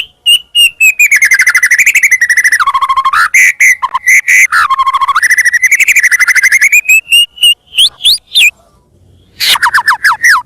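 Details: White-rumped shama (murai batu) singing loudly as a lure: long sweeping trills of rapid pulsed whistles that dip and rise in pitch, then isolated sharp notes, a short gap and a falling whistled run.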